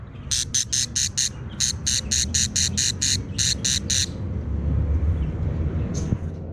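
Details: Budgerigar chicks in a quarrelsome mood: three short bursts of harsh, scratchy pulses in the first four seconds, then only low rumbling background noise with one brief faint squeak near the end.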